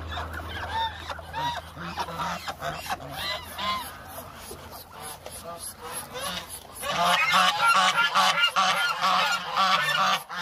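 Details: A hungry flock of around 1000 Muscovy ducks, with a low engine hum at first, then many overlapping harsh, honking calls that grow louder and denser in the second half.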